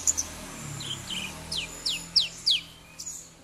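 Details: Javan bush lark song used as a lure to prompt a silent bird to sing: faint high notes, then a run of steep downward-sweeping whistles over a low hum.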